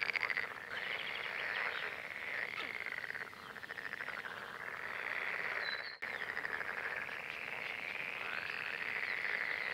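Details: Red-necked Grebe couple during the April–May breeding season, when they caught newts and fed striped chicks. Harsh, wailing braying calls swell and fall in repeated arched phrases with pulsed rattles, broken by a short click.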